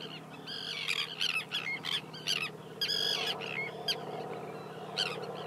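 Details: Common tern at the Kuyalnik estuary, Odesa region, Ukraine, June 2012: a busy run of harsh, rasping, overlapping calls in quick bursts, several birds seemingly calling, over a constant low rumble.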